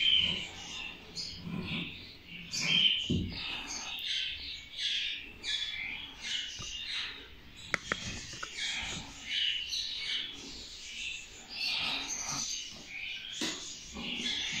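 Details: Budgerigars of a rainbow mutation flying and playing in an aviary chatter continuously in bright, scratchy warbles and quick chirps, a busy flock sound.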